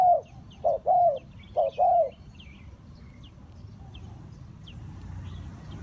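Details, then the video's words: Spotted dove used for luring wild birds into traps gives two quick short-long cooing phrases at the start, then only soft hiss and scattered faint high bird chirps follow. "Cu gáy Ninh Thuận"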